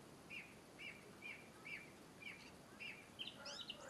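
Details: European robin calling: a short, bright chirp repeated about twice a second at a steady pace, with a few higher, sharper notes near the end over a low background hum.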